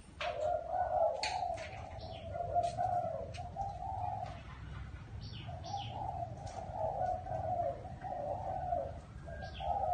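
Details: Spotted dove in a small garden giving a low, hollow cooing phrase, a run of soft rounded coos repeated through the recording, with brief twittering from small birds and steady low background rumble.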